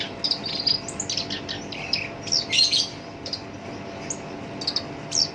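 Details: Black-browed reed warbler with a rough voice, sung as a lure for other birds: buzzy, scratchy high phrases, loudest in the middle, then fading to scattered single chirps.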